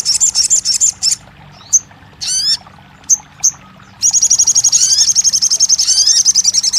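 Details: Crested jay, recorded to coax a silent kept bird into song: a high, fast rattle, then sharp isolated chips and a falling harsh note, followed by a long, steady, rapid high trill.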